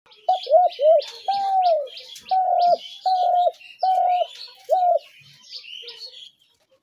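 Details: Spotted dove calls used as a trap lure: short coos followed by several longer, flat-topped cooing notes, evenly spaced, with high chirping of other small birds in the background.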